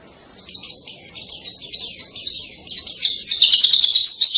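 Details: A white-eye's canary-like song starts softly and builds into a loud, dense, high twittering trill of rapid repeated sweeping notes, with faint low background rumble.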